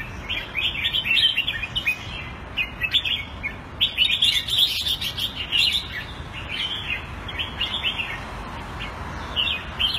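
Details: Red-whiskered bulbul kept caged in Singapore in the Thai style, February 2018; lively run of short, clear warbling phrases, rapidly repeated chirps rising and falling over a soft constant background hiss.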